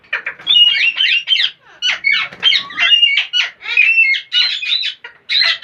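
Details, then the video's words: Parrot giving weird, funny noises as a nearly continuous run of raspy chatter, squawks and short whistled slides, with few pauses. "Most Beautiful Parrots Are Making Weird Sounds And Funny Noises !"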